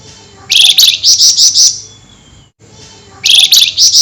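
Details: Common flameback in lively, highly agitated nyerecet calling at night: a fast run of about seven harsh, buzzy, evenly spaced notes, a brief silence, then the same rapid grating series starts again.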